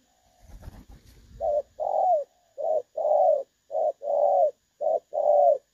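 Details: Spotted dove with a clear "đồng son" voice, recorded for use as a trapping decoy, 16 August 2024: low, mellow coos in short-long pairs, repeated steadily, after a brief knocking noise at the start.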